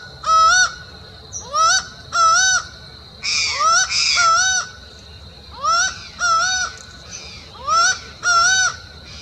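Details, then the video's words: Laughing falcon (acauã) song, described as ill-omened, recorded on a bike trail near Uberlândia, Minas Gerais, Brazil: loud nasal two-part notes, each rising then levelling, repeated about once a second in paired bursts, briefly overlapping mid-sequence, over a quiet background. "O canto sinistro de mau agouro do acauã."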